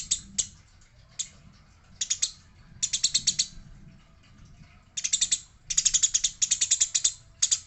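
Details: Eurasian tree sparrow in a fight, female noted: scattered single chirps early, building to clustered bursts of fast, scratchy chattering notes toward the end.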